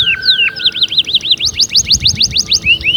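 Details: Brief burst of canary song meant to motivate singing: looping whistled notes repeated rapidly, shifting into a quicker series of sharp upward strokes.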